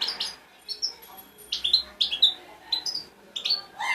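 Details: European goldfinch fledgling singing, played to stimulate other goldfinches to sing: a rapid series of bright, twittering and chirping notes in short bursts, some rising and some dropping in pitch, with brief pauses between phrases and no other clear sounds.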